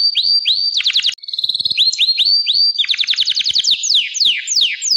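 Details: Gloster canary song made of repeated downward-sweeping whistled notes, a brief steady buzzy tone, then a quick run of rapid falling notes.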